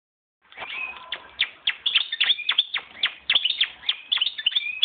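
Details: Hand-raised European goldfinch from 2011, coming into breeding condition, delivering a fast, continuous twittering song of sharp, high chirps and short whistled slurs, with rapid notes and a few brief trills, clear against a quiet background.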